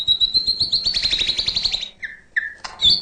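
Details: White-rumped shama (murai batu) in full 'isian' fill-in song: a fast, high, buzzy trill of rapid repeated notes for about two seconds, followed by two short lower whistles and a sharp burst.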